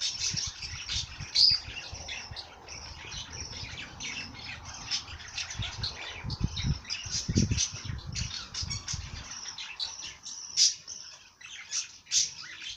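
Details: Busy high chirping and twittering from birds, with some harsher notes and occasional low rumbling thuds in the background.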